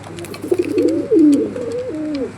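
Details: Local old-bloodline Bengali high flyer pigeon giving a loud, rolling coo that rises, dips and wavers over about two seconds, ending in a falling slur, in a quiet room.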